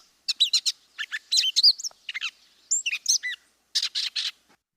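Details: Gray Catbird, a bird of old fields, shrubby areas and hedgerows, sings a rambling, aimless string of squeaky, scratchy notes jumping up and down in pitch, a bit like a robin but less clear, with short phrases broken by brief pauses.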